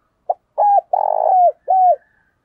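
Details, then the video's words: Single cooing phrase from a spotted dove kept as a decoy to stimulate other doves. A brief note and a two-part hoot come first, then a long, purring, slightly falling coo. A final clear note closes the phrase, with no other sounds. "Chim Cu Mồi thúc bổi rất sung"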